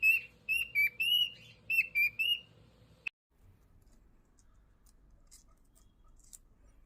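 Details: Pet cockatiel whistling: a string of clear, wavering whistled notes with rich overtones for about three seconds, a sharp click, then near silence with faint background sound.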